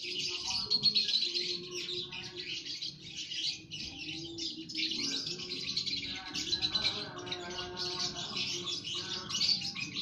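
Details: Lovebird colony in an aviary, many birds chattering together: dense high buzzy twittering with sharp squeaks, continuous throughout, over a lower background of layered tonal notes.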